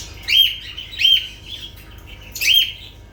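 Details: Lovebirds calling: three loud, sharp chirps with bright upslurred notes, about one second apart, linked by softer twittering chatter in between.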